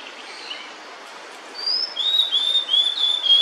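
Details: Female blue-and-white flycatcher singing with food held in its bill, near its nest with chicks; after a quiet start, clear high whistled notes appear, a short rising note followed by a run of slurred descending whistles.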